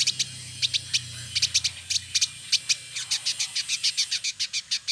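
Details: A male village indigobird, kept caged in Bandung, West Java, Indonesia, repeats sharp high ticking notes, singly and in pairs at first, then speeding into a regular clicking series.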